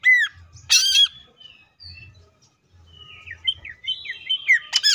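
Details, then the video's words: Greater green leafbird singing full tembakan: a falling whistle and a harsh explosive burst, quiet thin notes, then a lively run of twisting, warbled whistles rising in intensity. "CUCAK IJO FULL TEMBAKAN"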